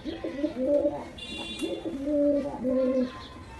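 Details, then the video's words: Baby pigeon calling angrily while being attacked: low, wavering, nasal notes in short bursts, rising and falling, several phrases over a few seconds in a small room. "Baby pigeon angry || Attack on baby pigeon || Baby pigeon sound effect"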